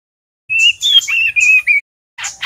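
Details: Juvenile male white-rumped shama learning the 'ngeriwik' sound, a lure to excite other birds; a short series of steady, bright piping whistles at one pitch, then two rough, buzzy notes.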